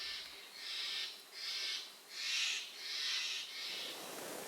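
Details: A female Eared Quetzal, one of a pair probably still incubating, in high-elevation mixed-conifer forest of the Sierra Madre Occidental, Chihuahua, Mexico, in August. She sings about six high, breathy, squealing notes, faster and higher than the male's song, over faint hiss.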